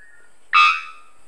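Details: A male three-wattled bellbird moving between perches in Monteverde forest, Costa Rica, gives a single explosive, metallic bonk under half a second long, unedited, preceded by a faint thin whistle.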